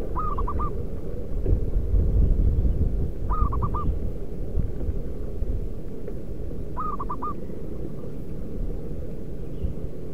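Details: Local zebra dove calling in the wild, a call used to draw in wild doves: three short bursts of four quick hooked coos, roughly every three and a half seconds, over a heavy low rumble.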